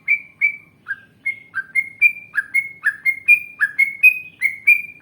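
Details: Yellow-vented bulbul singing in an Indonesian training recording: quick whistled chirps alternating high steady notes with lower downward-slurred ones, speeding up into a nearly continuous chatter over quiet background.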